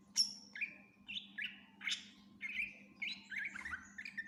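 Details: A greater green leafbird gives a full mimicry-filled song, intended as tutor material for other birds: a high piercing note, then a steady series of short whistled phrases near mid pitch, each slightly varied, over a faint hum.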